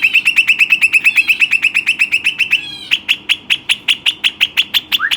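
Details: Pet Western rock nuthatch, caged: rapid run of loud clipped notes repeated about three times a second, steady in pitch, then a brief break and a slower series of sharper notes ending in a rising whistle.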